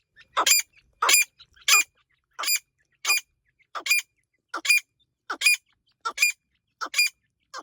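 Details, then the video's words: Irani teetar, a partridge, calling: a steady series of eleven harsh, buzzy, broadband notes, one about every 0.7 seconds, against a quiet background. "irani teetar ki awaaz teetar sound teetar ki boli"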